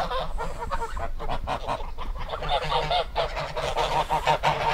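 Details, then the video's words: Several geese calling together: repeated nasal honks, some drawn out and wavering, with a low hum underneath throughout. "Gans geräusch / Gans geluid / Bruit oie / Gänse geräusche"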